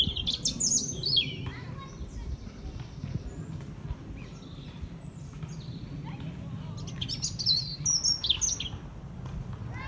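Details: European robin singing: high, fluttering, tinkling phrases with rapid trills open and close the passage, separated by a quieter stretch of thin notes, over a low background hum.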